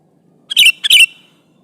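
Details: Sooty-headed bulbul calling a rival to provoke answering birds; one loud, rich two-part whistled phrase, two quick bubbly notes back to back.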